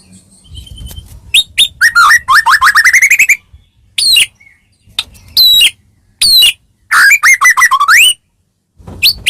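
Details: Medan white-rumped shama song used to provoke rival shamas: loud rising slurred whistles and rapid rolling series of ascending notes, delivered in bursts with silent gaps between phrases.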